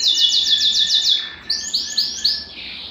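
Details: Belgian canary singing, played to warm up a cold canary: rapid high trilled phrases, then a series of rising upward-swept whistled notes repeated about every quarter second.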